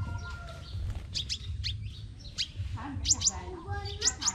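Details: Crimson sunbird in competition singing, Tân Phú district, Đồng Nai, Vietnam: thin, high, fast-sliding notes in quick bursts, with a rising run of sharp notes near the end, over low background rumble and lower bird calls.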